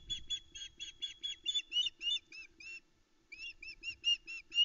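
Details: Calling loudly on her nest at about 5am, 13 July 2019, at Loch Arkaig, a female osprey awaits breakfast: strings of shrill, slightly downslurred whistled notes, quickening and then pausing briefly before a fresh run, captured by a nest camera.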